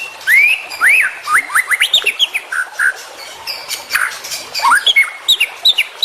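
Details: White-rumped shama training song: strong upward-sweeping whistles, then a fast stream of short notes, brief pauses, and more rising slurs with sharp high ticks.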